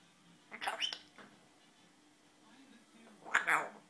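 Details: Pet African grey parrot talking, asking to come out: a short burst of speech-like syllables, a pause, then a loud sharp squawky word near the end, indoors with a low hum.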